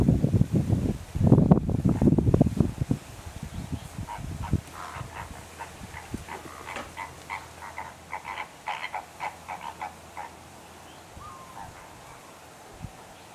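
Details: Greater flamingos visiting Rondevlei near Wilderness on the Garden Route, South Africa. A loud low rumble of wind or handling noise comes first, then a rapid series of nasal, goose-like honks, several per second, fading toward the end.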